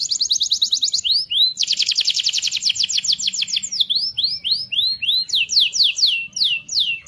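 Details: Canary song meant to stimulate other canaries into singing: fast rattling trills broken by looping upslurred whistles, then a run of sharp descending sweeps, all loud and unbroken.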